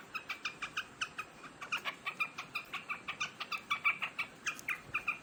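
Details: Large quail feeding on grain, recorded 3 July 2021; rapid series of short sharp harmonic chirps repeated about four times per second, fairly regular, with faint background hiss.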